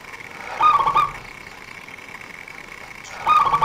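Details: Prolific local zebra dove singing a fast, tight lure song used by bird trappers: two rolling, stuttering coo phrases about two and a half seconds apart against a faint steady hum.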